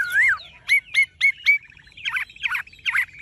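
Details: Caged Chinese hwamei with golden-yellow plumage: a swelling whistle, then four sharp slurred whistles evenly spaced, followed by three harsher rasping notes.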